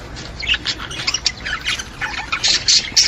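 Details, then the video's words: Budgerigar chatter intended to stimulate budgies: quick, uneven series of short squeaky chirps and scratchy notes, getting louder and brighter in the final second. "اقوي صوت يساعد على تحفيز طيور البادجي"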